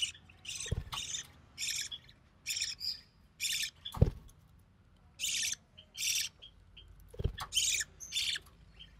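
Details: Recessive pied budgerigar chick, hatched early June 2020 to a white recessive pied father and albino red-eyed mother, being fed by its mother; raspy, hissing bursts repeated about once a second, with three low knocks between them.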